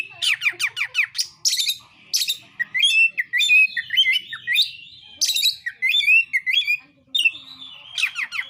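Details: Oriental magpie-robin belting out a narung fighting song to provoke competitors: fast descending trills and scratchy bursts leading into warbled, wavering whistles, delivered in several loud phrases with short gaps.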